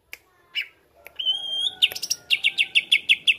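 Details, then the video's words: Song of a greater green leafbird played to stir other birds into singing: a few scattered notes, a sustained high whistle, then rapid crisp repeated chips at a steady pace around seven per second. "CUCAK IJO BONGKAR ISIAN BUAT PANCING EMOSI IJO ANDA"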